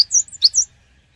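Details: Cinereous tit song used as a lure to prompt other birds to respond: a brief burst of three or four high, sharp chirped notes in quick succession, clean and without other sounds.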